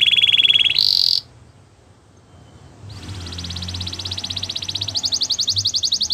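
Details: Gloster canary song with a bright whistled trill that breaks off into near silence, then resumes as a long, fast rolling trill stepping up in pitch toward the end.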